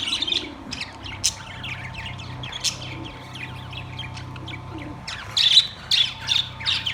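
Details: Caged budgerigars, Australian parrots, recorded September 3, 2023, keep up a busy stream of thin chirps, squeaks and warbled phrases, with louder sharp notes near the end and a low hum beneath.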